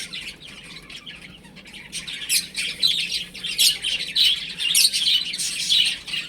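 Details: Chicks at play indoors at home, starting quietly and then breaking into loud, thin, high peeping from several birds at once, with bursts crowding together through the second half.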